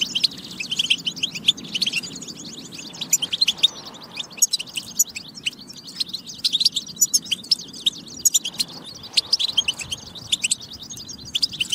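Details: European goldfinch song meant to spur goldfinches into singing: a dense, continuous stream of high, tinkling twitters and quick chirps with no pause.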